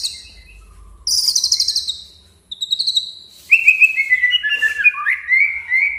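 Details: Song of a white-rumped shama meant to provoke a rival: a high, buzzy, rapidly pulsed trill, then a quick chatter, then a run of varied lower whistled notes and slurs.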